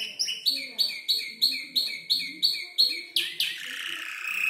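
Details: Canary about five months old learning song from tutor birds; evenly spaced two-part chirps about three per second, followed by a harsh rasping sweep.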